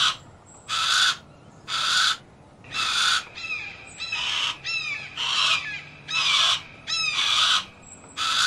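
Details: A Harris's hawk repeats grating, broadband screams about once a second, with rapid thin chirps of a small bird running through the middle of the series.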